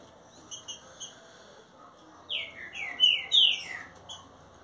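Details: Green-winged saltator kept caged for about 30 days, giving a mansarrão-style song phrase after quiet high chirping: four or five loud whistled notes, each gliding downward, bunched together over two seconds.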